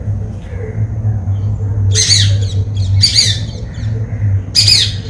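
White-bellied drongo giving three harsh, squawky bursts about a second apart, over a steady low hum.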